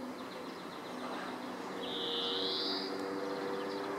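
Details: European greenfinch at Alvor, Algarve, Portugal, 2015, giving a drawn-out, nasal, buzzy wheeze lasting about a second, after faint rapid twittering, over a steady background hum.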